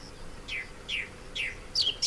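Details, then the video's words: Song thrush singing from neglected orange groves near Sueca, Valencia, Spain, a local breeder now. Four clear downslurred whistles follow one another at roughly half-second intervals, the last one sharper and doubled, in a calm setting. "ZORZAL COMÚN en Sueca | 🎵 CANTOS DE AVES"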